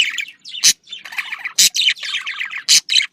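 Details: Pet budgerigar sounds meant to stimulate budgies to breed: a dense run of chattering, buzzy warbles with scratchy notes, broken by a few loud harsh squawks roughly once a second.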